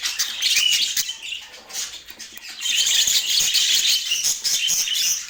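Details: Budgerigars kept as pets in Portland produce quick, repeated high chirps, about three a second, swelling into louder continuous warbling in the second half.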